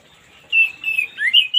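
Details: Orange-headed thrush morning song, played as therapy for non-singing birds: a short run of clear, sliding whistles, the last notes rising sharply.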